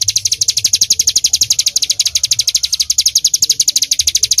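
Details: Rapid machine-gun song of a bar-winged prinia (ciblek gunung), recorded as songbird training material: bright, sharp high notes repeated about four per second without a break over a quiet low hum.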